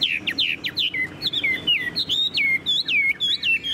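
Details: Tame Chinese hwamei in a cage sings clear, looping whistles that dip and rise, each note sharply separated by brief gaps, about four notes a second.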